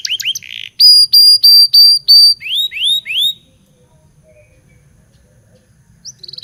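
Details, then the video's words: Local canary song used as a lure to teach canaries to sing: a fast run of flat, high whistled notes about a quarter second apart, then rising swept whistles, a long quiet pause, and one brief high note at the end. "Suara Burung kenari lokal super gacor bagus untuk pancingan kenari belajar bunyi"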